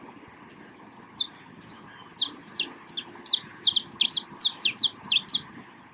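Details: Saffron finch singing in nature: a lively run of short, sharp high chirps and slurred notes, sparse at first then quickening into a dense, uneven burst over about five seconds, with a low steady background hum.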